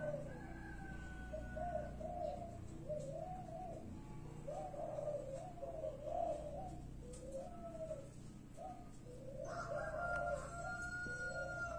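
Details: A spotted dove perched on a rubber tyre coos in soft, low, rolling phrases, repeating every second or so. A faint thin whistle and a steady low hum sit behind it.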